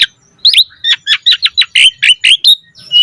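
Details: Lively song of an Asian pied starling, quick and varied: about a dozen short, bright chirps and slurred whistles in a fast series, each note sharp and high.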